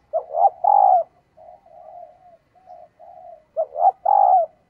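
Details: A female red collared dove coos to stimulate males: low, throaty coos of two quick notes and a longer rolling one, with softer coos between, the phrase repeating after about three seconds.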